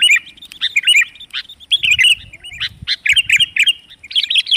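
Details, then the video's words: Lure call of sooty-headed bulbuls, played to draw in wild birds: bright, jumbled chirps and short warbled notes overlapping in a lively chatter, with faint low thumps beneath. "suara pikat kutilang paling ampuh || panggilan kutilang ter jitu"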